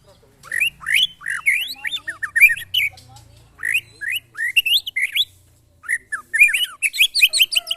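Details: White-rumped shama tested against neighbours' birds, giving loud bursts of short rising chirps and whistled upslurs in quick repeated phrases, a brief pause near the sixth second, then renewed rapid chirping.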